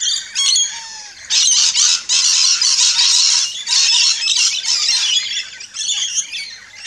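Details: Harsh, loud squawking from rainbow lorikeets feeding in an Australian backyard, bursts of grating screeches in rapid overlapping runs with brief dips between them.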